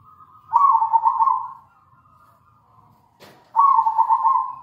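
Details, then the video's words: Local zebra dove (perkutut) singing as a lure to draw song from other doves: two loud, trilled coo phrases about three seconds apart, with a sharp click between them. "PANCINGAN PALING AMPUH PERKUTUT LOKAL GACOR"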